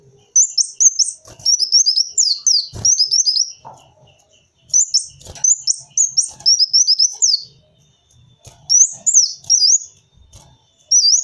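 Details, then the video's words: Kolibri wulung sunbird, a lure sound: three long phrases of shrill, tumbling chirps and slurred whistles, each about three seconds, separated by short gaps with faint clicks. "Suara burung kolibri wulung cocok buat suara pikatan kolibri"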